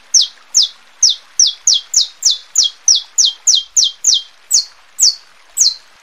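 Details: Saffron finch song for warming up birds and tutoring young: a long regular string of bright, high chips that each drop sharply, slowing slightly toward the end.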